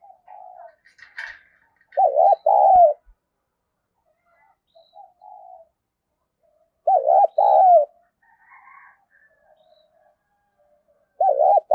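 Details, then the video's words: A female spotted dove coos to excite males, giving a loud phrase of a short wavering note and a longer coo about every five seconds, with soft murmured coos and a faint chirp between. "cu mái gáy kích trống hiệu quả, trống nghe rất phấn khích và nổi nhanh"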